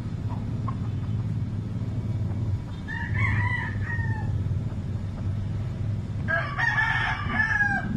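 A rooster crows twice, first a hoarse drawn-out crow, then a louder harsh one near the end, over a steady low rumble of background noise.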